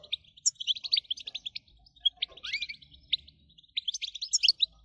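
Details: Goldfinch singing in the 'batbata' style used to excite other birds into song; chattering twittered runs separated by brief gaps, one descending buzzy slur, over a faint low hum.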